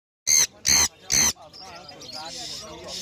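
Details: Pet sun conure, called jandiya conure, giving three loud harsh screeches in quick succession, then softer chattering and squeaky mutters.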